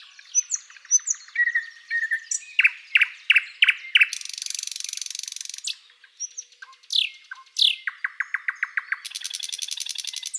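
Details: Song of a Thrush Nightingale: thin whistles, loud down-slurred notes repeated in series, a dry buzzing rattle, then more slurred notes and a fast chattering trill.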